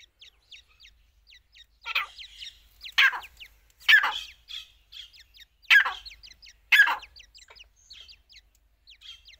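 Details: Female grey francolin, known locally as teetar, in the chicks season: five loud, harsh, grating notes about one second apart after a short pause. A steady scatter of high, thin chirps from other small birds continues throughout.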